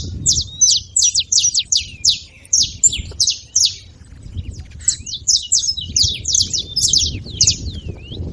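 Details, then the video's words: Several saffron finches singing together: dense runs of sharp, high chirped notes, each slurring downward, delivered in quick bursts with short pauses between phrases, over a faint low rumble. "canários da terra fazendo barulho"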